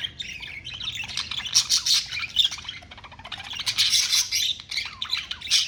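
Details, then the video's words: Pet budgerigar chatter, nearly unbroken: grating, buzzy warbles and rapid chirps that swell and fade in waves over six seconds, with no other sounds. "Parakeet sounds to relieve stress and relax"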